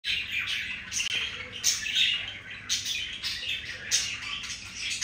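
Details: Pet budgerigars during breeding, mating moment; continuous scratchy chattering warble with harsh squawky bursts, bright and busy, dense notes swelling and fading throughout.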